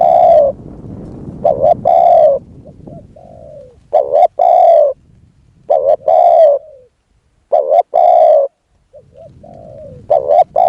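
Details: Spotted dove calling in a decoy session to lure a wild dove: about five loud, husky phrases, each a quick doubled note then a long coo, spaced roughly two seconds apart, with quieter short coos in the gaps.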